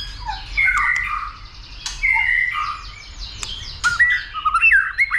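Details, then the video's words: White-rumped shama stimulated into singing and fighting display: clear whistled notes and slurred phrases with gaps, ending in a rapid twisting warble. "Kích Chòe lửa Lên Lửa, hót nhiều,chòe lửa đánh đuôi kích đấu"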